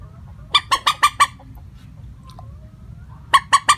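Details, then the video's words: Common moorhen call used as a lure, a plain call without tone variation: a fast run of five harsh, clucking notes, a pause of about two seconds, then three more clucks, over low rumbling background noise. "Suara panggilan burung mandar batu.tanpa pariasi nada panggilan"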